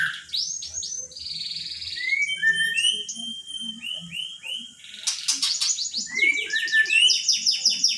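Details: Magpie-robin said to mimic speech, calling out "Pak Jokowi"; a rich, varied run of clear whistles, slurred upward and downward notes and sharp rapid chips, loud and close, with faint low murmurs beneath.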